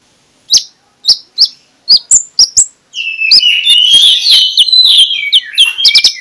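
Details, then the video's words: Magpie-robin song for luring other magpie-robins to sing in the morning: six spaced sharp clicking notes, then a continuous fast warble of mixed whistles and chatter. "2 Menit di Pagi Hari MENJUR untuk PIKAT Konin Lelet jadi NGOBRA, Menggunakan Suara KONIN Ngeplong"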